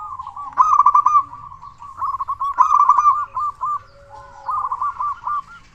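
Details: Big-voiced local zebra dove used as a lure to stir other doves into calling: three quick stuttering coo phrases of clipped, bouncing notes separated by short gaps.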